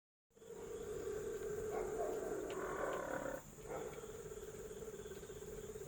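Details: Domestic hens getting ready to lay eggs give a drawn-out, steady, droning call lasting about three seconds, pausing briefly, then resuming at a slightly lower pitch; a constant high hiss runs underneath.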